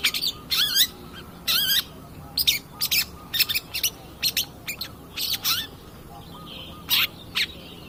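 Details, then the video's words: Long-tailed shrike lure song to provoke other birds, repeated harsh rattling bursts with descending slurred ends, interspersed with sharp chips and a soft distant chatter. "pancingan cedet pastol gacor"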